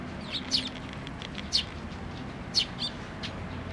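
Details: Nestlings waiting to be fed by a parent bird at a Tenmangu shrine, 22 May 2024, making thin high chirps about once a second over a steady wash of broadband background noise.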